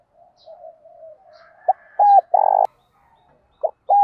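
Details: Caged decoy spotted dove calling to wild birds in the morning: soft low murmuring coos build into short, strongly arched coo notes and one long rolling coo, then two more clipped hooked notes at the end.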